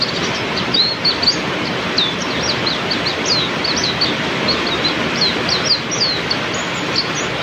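Oriental white-eye giving quick, thin, high chirps and short slurred twitters scattered throughout, over the steady hiss of heavy rain.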